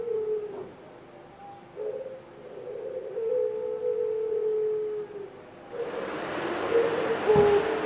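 Barbary dove giving low, mellow coos, one drawn out for about two seconds, then more coos under a burst of hissing background noise.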